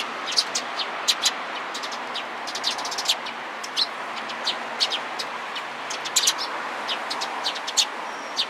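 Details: Eurasian tree sparrows flocking around a person on 27 April 2017: frequent quick chirps from several birds, irregular and overlapping, above constant roaring background noise.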